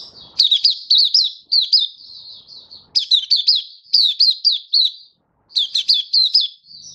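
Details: Singing Malaysian white-eye on a warm, sunny Singapore day in March 2023: repeated bursts of high, sharply slurred twitters, several notes each, separated by softer continuous high warbling and one brief silence.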